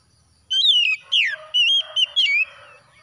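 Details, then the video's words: Oriental magpie-robin song after dawn: four bright whistled phrases, wavering and dipping, each about a third of a second long with short gaps between them. "TERAPI KACER HABIS SUBUH PEMULIH AMPUH KACER SETRES CEPAT GACOR"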